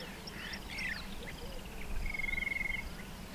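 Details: White-fronted bee-eater near the Pafuri Picnic spot, Kruger National Park, South Africa, gives a few squeaky, downslurred chirps, then one drawn-out, steady, slightly buzzy note; a low rumble of wind runs underneath.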